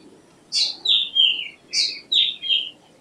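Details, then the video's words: Black drongo giving two matching phrases in a row. Each starts with a harsh, scratchy rising note and ends with smooth descending whistled slurs. "Black Drongo Song ! Black Drongo Call ! Black Drongo Sound ! Black Drongo Vocals ! Voice ! Singing"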